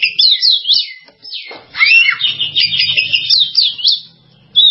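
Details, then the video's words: Oriental magpie-robin song of flowing, looping whistles that sweep up and down in a continuous phrase, ending with a clear sustained note. "SUARA BURUNG KACER"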